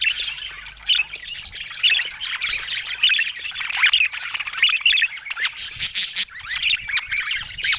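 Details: Morning warbling of budgies in sunshine, San Diego: a steady, rolling chatter of mid-high buzzy notes and little squawks, punctuated by sharp clicks, continuing without pause.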